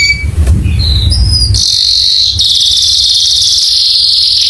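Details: Canary training song meant to make other canaries start singing: a few quick high whistled notes, then a long, even, high rolling trill that runs unbroken to the end.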